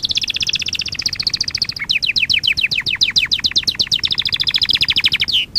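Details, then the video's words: Canary song for training: a high fast trill, then quick downward-sweeping notes repeated many times a second, returning to a rapid trill before a final falling note. "Kanarya sesi kanarya eğitim/1 canary sing"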